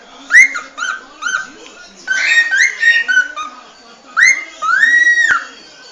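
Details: Cockatiel whistling a tune-like series: short swooping notes, a busier cluster of overlapping whistles in the middle, then a long rising, held tone, over steady background hiss.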